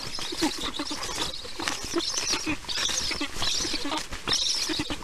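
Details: Black stork storklets at a nest camera, fed lunch by a parent at 1:39 p.m. EEST on 22 July 2019; hoarse, arched high calls come in quick bursts about once a second, with pattering and rustling beneath.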